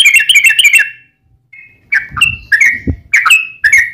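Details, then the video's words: Yellow-vented bulbul in lively 'gacor' singing with long rapid 'ropel' fighting-style phrases, used as a lure to provoke other bulbuls to sing; a quick burst of bubbly chirps, a brief pause, then repeated short liquid notes over a low thump. "trucukan gacor TARUNG ROPEL PANJANG pancingan trucukan agar bunyi"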